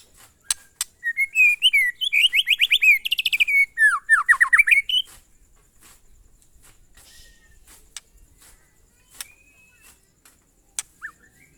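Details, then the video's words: Murai batu, or white-rumped shama, singing in the monotonous glondong style: a four-second burst of rapid, steeply sweeping whistled notes repeated in quick runs, then near silence with a few isolated clicks and a short whistle. "suara burung murai batu "MONOTON"alias GLONDONG"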